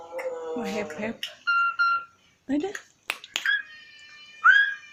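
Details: Asian pied starling singing indoors, a varied mix of harsh nasal chatter, clear level whistles and rising whistled notes in short bursts separated by brief pauses.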